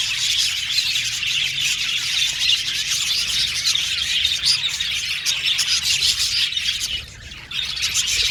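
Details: Budgerigars giving chirping contact calls, said to be used to seek companionship; a dense, continuous stream of high, scratchy chirps and twitters that pauses briefly near the end before resuming.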